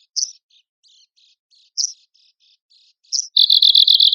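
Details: Arctic warbler, contest-training song material: three sharp high notes spaced about one and a half seconds apart with soft faint notes between, then a fast buzzy trill begins.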